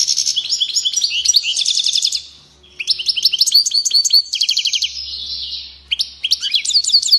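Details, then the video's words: Frenzied European goldfinch song, bursts of fast high-pitched twittering and buzzy trills separated by two short pauses, ending in a quick series of bright chirps. "Goldfinch goes crazy"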